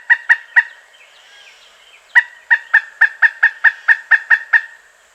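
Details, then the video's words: Pileated woodpecker calling: three loud kuk notes, a faint pause with soft background chatter, then a quickening series of about a dozen sharp, evenly pitched notes. "Pileated Woodpecker Sounds: Call, Drumming, Mating Voice"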